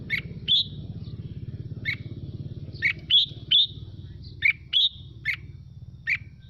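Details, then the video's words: Red-whiskered bulbul song, used to spur other birds to sing: sharp whistled chirps and a few higher slurred notes, irregularly spaced, against a continuous droning engine-like rumble. "Mào Mộc Hót Hay Kích Chim Hót Theo Để Lên Lửa"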